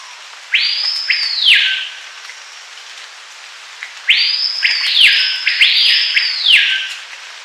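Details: A Screaming Piha of South America's Amazon forests gives loud, piercing whistles that sweep sharply upward and then drop: one phrase, then after a pause two more in quick succession.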